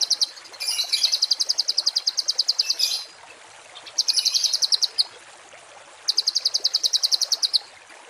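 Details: Harsh 'tembakan kasar' songbird phrases used to tutor cage birds toward varied song. Three rapid, evenly pulsed high buzzy trills of one to three seconds are separated by short pauses, over a steady background hiss.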